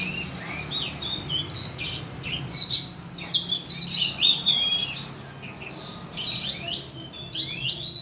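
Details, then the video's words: Oriental magpie-robin song used as a lure to prompt other birds to sing: a varied run of clear whistled phrases and slurred notes, some rising and some falling, in bursts with short pauses, over a low steady hum. "pancingan kacer agar bunyi"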